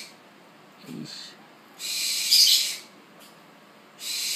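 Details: Tropical screech owl chick in captivity, born 1 September 2013 and still unable to see, begs hard for food at its first feeding: drawn-out breathy hisses, the loudest near the middle, separated by brief quiet gaps and a soft low thump.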